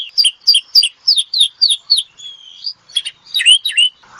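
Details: Asian pied starling song opening with a run of about eight sharp, repeated chip-whistles, then a long thin whistle and a closing burst of squeaky, chattering notes.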